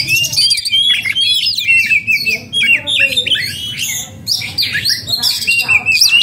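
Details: {'caption': 'Oriental magpie-robin in breeding condition, agitated, singing a dense continuous stream of sharp whistles, chattering and harsh scratchy notes with barely any pauses.'}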